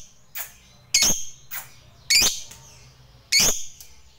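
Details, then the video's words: Lovebird, a lively fighter bird calling a rival: three sharp, harsh, piercing chirps about every 1.2 seconds, each a brief high burst with fainter shorter notes between, over a low steady hum. "Lovebird GACOR MEMANGGIL LAWAN, HANYA Sesaat Dengar LB BISU dan GAGAP, Jadi GACOR NYAUT NGEKEK"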